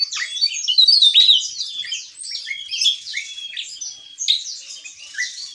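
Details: Javan tesia singing in the style called gacor ngeplong: a dense run of high, sharp twittering notes with quick up-and-down slurs, loudest in the first second and continuing without pause.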